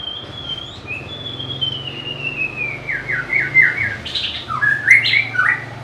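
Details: White-rumped shama singing a varied phrase: a long, thin whistle slowly gliding downward, then a run of quick slurred notes and bright, rising and falling whistled flourishes; a low steady hum sits underneath.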